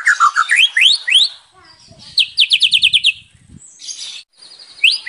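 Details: White-rumped shama in active, varied song full of imitations: fast upward-sweeping whistles, a burst of sharp repeated high notes, then brief high chattering and another rising whistle. Faint low knocks sound in the background.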